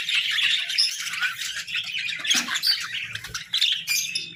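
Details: Pet budgies chirping in the morning, scratchy warbled chatter broken by sharp high chirps and short squawks, with brief dips between bursts.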